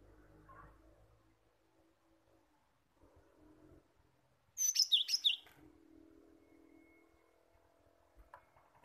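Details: Cinereous tit, played to coax young caged birds into full song. A quick burst of about six sharp, high chirped notes, with faint background rustling and murmur before and after.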